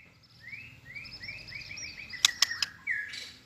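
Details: White-rumped shama singing in competition, newly in breeding form: a fairly faint series of repeated rising whistles, then three sharp clicks and a final upslurred note, over a low background rumble.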